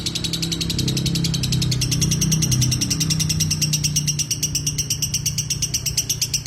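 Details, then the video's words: Lovebird in ngekek song, a fast string of high, scratchy chirps running continuously, partly overlaid by a loud low hum and rumbling background noise. "Love Bird ngekek 2 menit"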